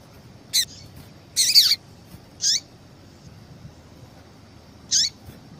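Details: Female yellow-bellied seedeater calls to stimulate a male's song: a brief chip, a longer rough burst, then two clear chips with falling tails, over a faint steady hum.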